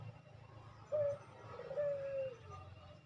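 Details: Barbary dove in a quick coo, a tutor sound for captive doves: one short note followed by a longer, level, slowly fading coo, over a soft low-pitched hum.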